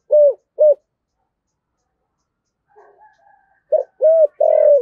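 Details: Spotted dove decoy bird with a 'thổ' style voice gives two clipped low coos, falls silent, then restarts with soft murmurs before a rising series ending in a long drawn, slowly falling coo.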